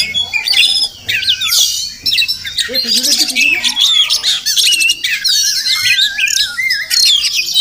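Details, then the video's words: Wild Oriental magpie-robin (Murai Kampung) at a village home in the morning, possibly nesting close by; loud, varied whistled phrases, wavering trills and squawky rasps, with a brief lower warbling passage midway. "Crazy Sounds of Village Magpie Birds"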